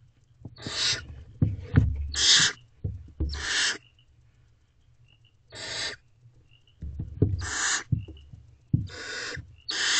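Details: Hissing screeches from barn owls in a nest box as the female feeds her owlets just after midnight, 23 April 2023; about seven rasping bursts in uneven clusters, with faint squeaks and knocking.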